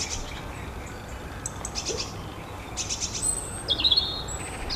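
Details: Long-tailed tit calling with short high rattling trills and thin, very high piercing notes, the last ones slightly louder, over a faint low background hiss.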